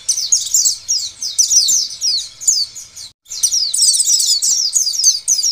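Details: Oriental white-eye singing as a lure to prompt other white-eyes to sing; rapid high twittering runs of thin chirps in quick bursts, with a brief gap near the middle, steady faint hum beneath.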